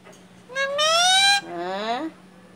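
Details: Talking pet Indian ringneck parakeet with its owner: a loud, drawn-out, slightly rising nasal utterance, followed by a shorter lower phrase that rises again at its end, in a quiet room.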